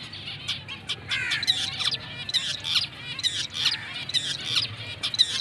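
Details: Black-breasted mutation zebra finches, a confirmed breeding pair, giving a busy run of short nasal, harmonic-rich beeping calls, roughly one per second, some overlapping and varying in length, over low steady background hum.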